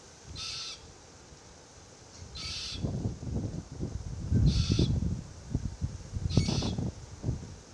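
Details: Young Forest Red-tailed Black Cockatoo perched in a Marri eucalypt, complaining while the adult pair crack gumnuts; four rasping screeches roughly two seconds apart over loud low crunching and rustling from feeding.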